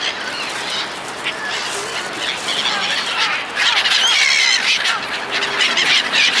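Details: Seagulls fed by people call in a thick mass of squawking cries that grows louder midway, with a few distinct higher whistled notes rising above the chorus.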